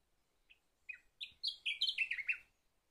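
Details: Sakhalin grasshopper warbler singing one clear phrase: a few soft introductory notes, then a run of loud, slurred, descending whistled notes that rise in intensity and end abruptly after about two seconds, in a quiet setting.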